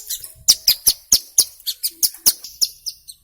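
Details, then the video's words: Hill prinia in full song, used as a lure to make birds sing: a regular run of piercing high, slightly down-slurred chirps about four per second. "Suara Asli Ciblek Gunung Gacor"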